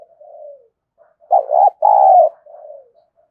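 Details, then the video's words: Spotted dove call used as a lure for doves: a soft falling coo, a short pause, then a loud two-beat rolling coo with a longer second note. It ends with another soft, drooping coo. "Tiếng Chim Cu Gáy Kích Bổi Nhanh nổi Hiệu Quả #5 || Chim Cu Gáy Mồi"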